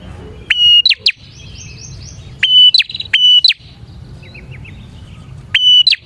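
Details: Bar-winged prinia, a loud lure song for attracting prinias: a sharp clicking burst, then a steady high whistled note ending in an upward flick, repeated three times with soft twittering between phrases and low background hum.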